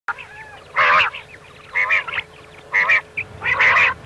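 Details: Common quail giving the 'miankan' night call used as a hunting lure: four loud nasal, harmonic bursts, each about a quarter second, spaced roughly one second apart. A steady low hum runs underneath.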